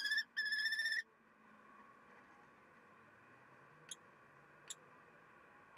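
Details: Common kestrel pair at the nest: the hungry female fetches a stored vole while the male takes over at the nest. A loud, harsh, rapidly repeated call runs for about a second, briefly broken once, followed by quiet background and three sharp clicks.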